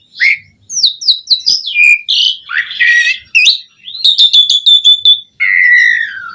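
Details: Asian pied starling singing profusely as training audio for other birds: a series of descending whistles, a rough buzzy phrase, a rapid stuttered trill and a long falling whistle at the end.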